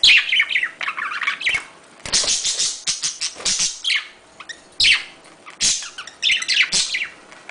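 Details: Budgerigar mating call used to bring pet birds into breeding condition: rapid high, buzzy chirps and warbles in loud bursts, with quick clicks and brief pauses.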